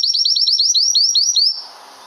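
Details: Canary long-roll song for tutoring: a series of about eleven bright upslurred whistles repeated rapidly, followed by a brief sustained note and soft hiss.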